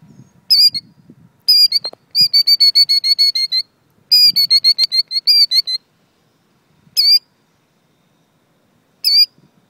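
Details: A bird defending her nest of eggs, scolding a person who came too close: harsh, high squawking notes in bursts, one fast run of about ten, another of about eight, then single squawks spaced several seconds apart; faint low rumble early on.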